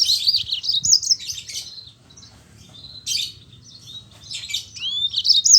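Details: Yellow-fronted canary in vigorous rolling song that serves as a lure for quiet Mozambique canaries: dense high warbled phrases, upward-sweeping whistles and buzzy bursts come almost without pause, over a low background hum.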